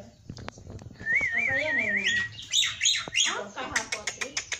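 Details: Black-winged myna giving energetic fill-in song: a few clicks, then a clear warbling whistle that rises and falls repeatedly, then harsh screechy phrases and a rapid series of ticks.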